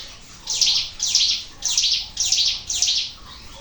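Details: Sunda warbler, locally ciblek gunung, in a natural-sound lure recording: five bright, high chirping bursts of sharp notes in quick series after a quiet start, then fading to soft hiss.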